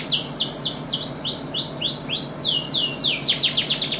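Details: Champion canary in song, delivering a rapid run of repeated downward-sweeping whistled notes, several per second, speeding into a tighter rolling series near the end, with a constant low background hum.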